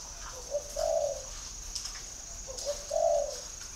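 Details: >Spotted dove calling at a dove-keeping garden in Ba Vì, Hanoi, Vietnam. Two short soft coo phrases, each a low clipped note and then a longer hollow coo, about two seconds apart. A steady high thin whine runs in the background.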